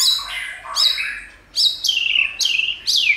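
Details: A White-rumped shama, trained to sing well, gives a burst of sharp, high notes that swoop down steeply, about five in three seconds, between softer blurred twitters.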